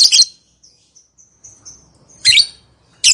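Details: Lovebird calling to make quiet lovebirds respond: a harsh shrill burst, then a string of thin faint whistles, followed by two more loud scratchy chirps near the end.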